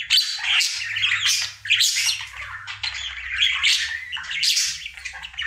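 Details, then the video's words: Pet budgerigar, a male in his daily singing routine, delivers a continuous chattering warble of scratchy, buzzy notes and quick chirps, with a faint low hum underneath. "Budgie singing for 1 Hour Happy song!"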